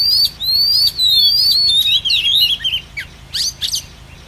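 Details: Oriental magpie-robin, female, calling as a trap lure for wild birds. A fast string of bright whistled notes slurs up and down, then thins out into scattered short chirps, with a faint background hiss.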